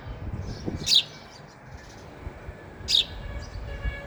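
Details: Sparrow at a feeder while eating, with two sharp, high chirps about two seconds apart and a few softer twitters, over low rumbling background noise.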